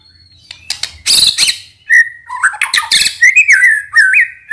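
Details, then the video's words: White-rumped shama (murai batu) morning song used as a lure to provoke other shamas into singing back; sharp high chips, then loud whistled notes near a steady pitch with quick upward flicks and rich trilled bursts. "PANCINGAN MURAI BATU PASTOL ATAU BAHAN | MENDONGKRAK EMOSI"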